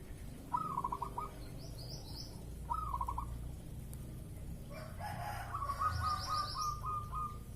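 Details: Zebra dove in breeding mood, recorded as a lure to provoke a response, giving two stuttering coo phrases, then a longer rolling series of rapid soft notes, with high twittering of other birds and a burst of broadband noise.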